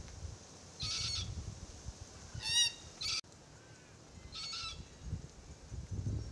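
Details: Three harsh, nasal begging wails from a youngster of a threatened Forest Red-tailed Black-Cockatoo family; the middle one wavers in pitch. Soft crunching of gumnuts being eaten by adults sounds underneath.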